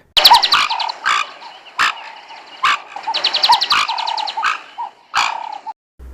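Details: Knob-billed Duck, a southern African bird, giving harsh, wheezy bursts mixed with hoarse nasal notes, about eight uneven calls in six seconds, with no other sounds.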